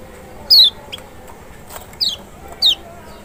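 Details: Lemon-bellied white-eye (Kecial, Lombok or Sumbawa white-eye), used to provoke a reluctant bird into singing: three thin, high whistled notes, each sliding steeply downward, spaced irregularly over quiet background hiss.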